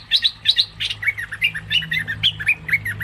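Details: Cream-vented bulbul trapping lure: a steady stream of bright, clipped chirps, some paired and rising, delivered several per second, with a low background hum.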